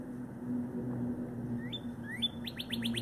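A female Northern Cardinal sings two rising slurred whistles, then a quick series of about six downward-sweeping notes, over a low steady hum.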